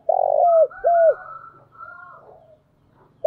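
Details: Spotted dove, a decoy bird with urging and calling coos used to lure wild doves, gives two low cooing notes, the first buzzy and long, the second clearer and falling, followed by a faint higher drawn-out sound.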